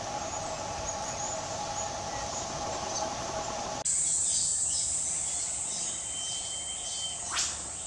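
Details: Whipbird in Australian bush undergrowth, calling to another: after a stretch of steady hiss and hum, a faint high whistle leads into one short, downward-sweeping whip-crack near the end.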